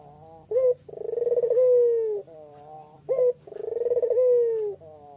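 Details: Spotted dove cooing, recorded on an evening walk in Kuta, Bali, and used as a lure to set other birds calling: a short, clear note, then a long, rolling, pulsing coo sliding slightly down, given twice, about 2.6 seconds apart.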